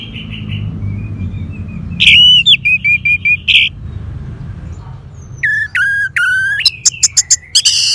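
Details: Orange-headed thrush (anis merah) from northern Bali, Singaraja, sings a loud varied phrase of whistled notes and sharp clicks, a quiet pause, then stepped whistles and rapid high ticks over faint low background noise.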